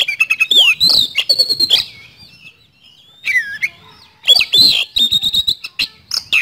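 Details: Oriental magpie-robin (kacer) in full 'speed roll' song meant to stir other birds: quick staccato chips, looping whistled slurs and short rattles, with a softer whistled passage in the middle.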